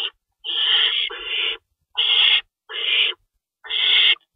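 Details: Owls being fed at the nest before dawn on March 25, 2012, an adult shredding rabbit: five rasping screech-hisses, the first doubled into a long one, spaced by quiet gaps under a second.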